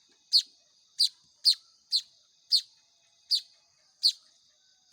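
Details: Hand-reared weaver chicks (manyar) squeak insistently while fed, eight shrill chirps spaced about half a second to a second apart, quiet otherwise.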